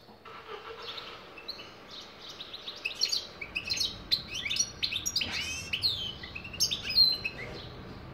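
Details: European goldfinch song, a lively, continuous twitter of bright chirps, short buzzy notes and rapid tinkling trills that build in density halfway through, with a faint low background hum.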